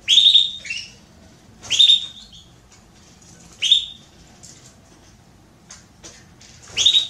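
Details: Female Belgian canary asking to mate, repeating bright, sharp chirped calls roughly every one and a half to two seconds, each loud and brief, with faint ticks between.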